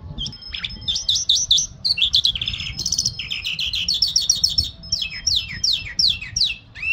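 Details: Lark giving a mashadi jal song, a lively medley of sweeping whistles, scratchy trills and evenly repeated downslurred notes, bright and high-pitched throughout.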